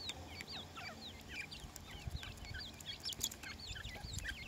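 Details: Several grey francolin chicks keep up quick, thin peeping while feeding. Short high notes, some slurred up and some down, tumble over one another continuously, with faint low hum underneath.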